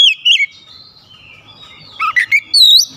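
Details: Oriental magpie-robin song: a sharp wavering whistle, a brief pause, then a quick run of loud slurred notes ending on a high, rising sweep.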